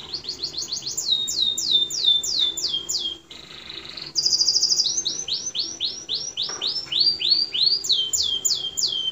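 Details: Canary singing a long run of clear downslurred whistles at about three per second, broken by a buzzy trill and a high rattling phrase, then more repeated sweeping notes.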